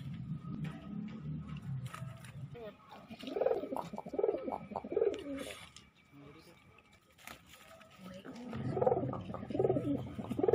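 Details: Pigeon cooing in the ngabekur style: two bursts of low, rolling, swelling coos repeated about once a second, separated by a quieter pause with faint background murmur.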